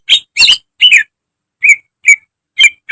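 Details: Caged-bird training recording of greater green leafbird song with imitations mixed in. It opens with three loud, harsh, scratchy bursts, then a pause, then four short clear whistles, the last one slurring downward.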